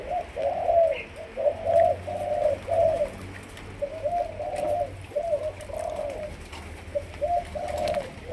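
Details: Young captive Malaysian spotted dove being trained as a decoy bird. Mellow, low cooing phrases are repeated in short bursts of two or three notes with brief pauses, over a faint background hum.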